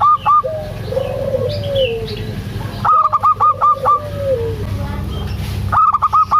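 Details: Lively local zebra dove alternating brief bursts of stuttered high notes with soft, bending coos, the pattern repeating three times over a droning low hum.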